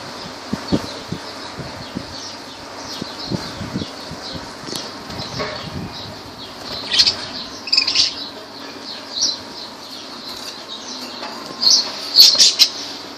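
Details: Lovebirds at Laylan in Kirkuk, with scattered soft clicks and rustles early on, then high squeaky chirps that grow louder and more frequent toward the end.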